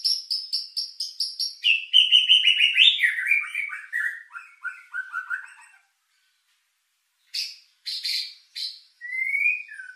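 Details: Lure song of a white-rumped shama to stir emotion and breeding drive: a rapid string of sharp high notes, then a long chattering run stepping steadily downward, and after a pause scattered harsh notes and a rising whistle.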